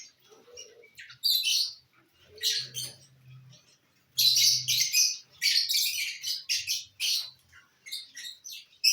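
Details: Lovebirds at corn: a few sharp chirps, then long bouts of harsh, buzzy chattering squawks in rapid succession, with a low droning hum between bursts.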